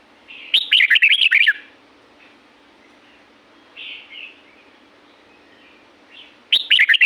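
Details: Natural recording of a red-whiskered bulbul in La-U forest, Thailand: a loud rapid chirpy phrase, a pause with soft distant notes, then the phrase starting again, over a low steady hum.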